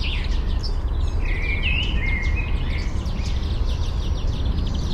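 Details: Eurasian penduline tit collecting nest material near its ring-stage nest high in a birch, Fysingen, Uppland, Sweden; a couple of long, thin, level whistles in the middle, with faint chirps of other birds and a steady low hum, parabolic microphone recording.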